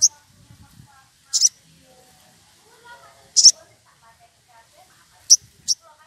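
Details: Excited wild woodpecker seeking a rival gives sparse high harsh notes, some doubled, every one to two seconds over faint warbling background chatter.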